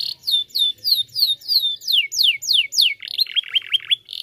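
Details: Canary song meant to prompt other canaries into singing: evenly repeated high slurred whistles about four per second, turning into steeper downward sweeps, then a fast, lower rolling trill of looping notes.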